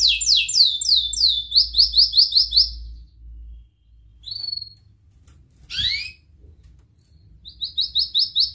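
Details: Canary singing in broken bursts, a song meant for training young birds: a quick run of descending chirps, pauses, a single sweeping note, then a short trill returning at the end, with low background hum.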